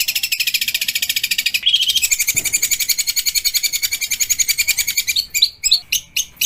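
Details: Long-tailed shrike training recording in the 'tembakan kasar' style: fast, even, high scratchy pulses for five seconds, ending in several separate sharp, louder notes.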